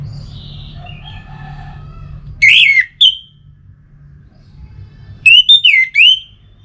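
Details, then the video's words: Orange-headed thrush song used to encourage birds to sing: loud, pure whistled notes with swooping rises and falls, a short pair, then a later group of three or four looping whistles, against faint background noise. "Suara Ini Bisa Membangkitkan Burung ANIS MERAH agar Jadi Gacor"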